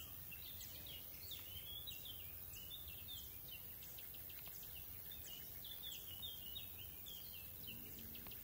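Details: European bee-eaters at the Soča river mouth nature reserve on 22 June 2023 give a steady stream of soft, rolling, liquid 'prruip' notes, several birds overlapping, over a faint hiss of wind and distant ambient noise.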